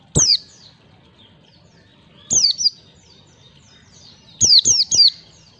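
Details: White-eye song played as a lure to train young birds in the ngalas style of 1, 2 and 3 beats: sharp high notes sliding down, given singly, then in a pair, then a quick triplet, separated by pauses of about two seconds.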